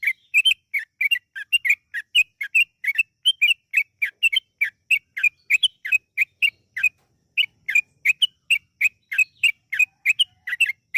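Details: Yellow-vented bulbul singing in long rapid 'ropel' style as a singing lure: continuous bright chirped notes, often paired, pouring out for over ten seconds with one brief break.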